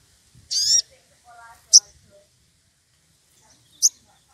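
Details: Wild Sogon, excited and calling a rival, opens with a harsh buzzy note, then gives two sharp, very high chips two seconds apart, with a brief soft whistled phrase of another bird between them.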